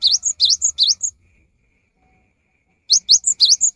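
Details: Cinereous tit singing vigorously, used as a rainy-season lure: three loud, quick V-shaped whistled notes, each dipping then rising and followed by a short higher note, then a silent pause before the phrase returns.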